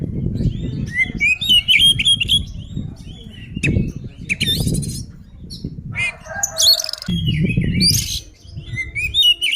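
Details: Oriental magpie-robin in full fighting song, used to provoke other birds into rage: varied whistled phrases and buzzy rattles around the upper range, with low rumbling thumps and handling noise underneath.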